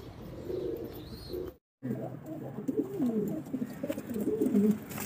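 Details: Pigeons cooing: soft, low, rolling coos repeated in quick runs, broken by a brief silent gap, over a faint room hum.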